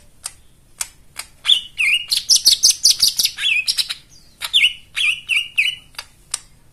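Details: Lure song for white-eyes that have gone quiet: sharp ticks build into a fast, dense twittering run, followed by a string of repeated downslurred whistled chirps.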